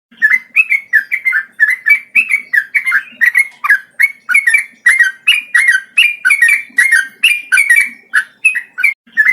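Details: Male yellow-vented bulbul giving a long rolling song: fast bubbly, warbled phrases around mid pitch, each a burst of slurred notes, repeated without pause about every half second for nine seconds; faint low thumps beneath.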